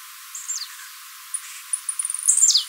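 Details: Blue-black grassquit singing for song training, recorded live: a soft descending buzz, then a quickening series of high ticks leading into a loud falling buzzy phrase.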